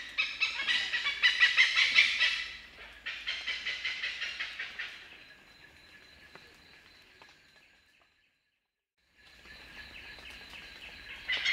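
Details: An Oriental pied hornbill gives loud, harsh, rapid cackling bursts of "kaek-kaek-kaek", about three per second, which fade into a steady high whine with a brief gap of silence.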